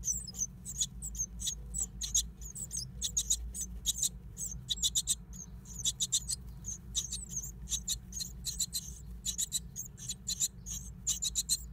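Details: Great tit nesting in an old stove: dense series of high, thin, squeaky calls, each short and clustered in rapid bursts, continuing throughout over a steady low hum.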